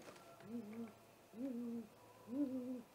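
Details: Great horned owl attacking a great gray owl at its nest, caught on a live nest camera just after midnight on 30 March 2018: three soft, low, wavering hoots about a second apart, faint against a quiet night background.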